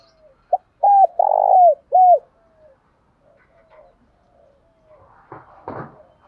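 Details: A decoy spotted dove calling in the morning gives a low, mellow coo phrase of four notes: short hoots around a longer, rolling middle coo. Softer coos and a few dull knocks follow.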